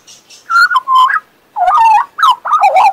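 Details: Western Australian magpie, a pet bird, whistling and warbling: clear level whistles followed by wavering, sliding phrases with rich overtones, separated by a short pause.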